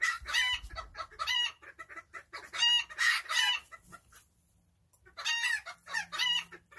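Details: Serama chickens kept in a coop, calling while enjoying their day: bursts of harsh, nasal clucks and squawks in clusters, a brief quiet pause, then more chattering calls.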